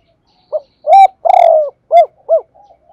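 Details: A lure recording of a spotted dove, meant for loudspeaker playback to make males call. A brief note, then a long rough coo, then two rounded hooting notes in a clean, noise-free recording.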